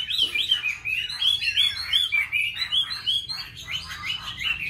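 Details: Oriental magpie-robin in Vietnam, song-dueling with bulbuls, laughingthrushes and doves, delivering a lively stream of looping whistled notes and fast chattery slurs, each phrase quickly following the last, with some fainter overlapping song behind.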